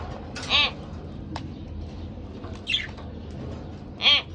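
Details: Pet budgerigar pair: three brief, rasping squawks spaced a second or two apart, with a faint click between them and a steady low hum underneath.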